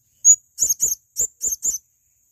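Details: Male blue-crowned hanging parrot, recorded as tutor material: one piercing high squeak, then five short, shrill, doubled chirps spaced about a fifth of a second apart, over a silent background.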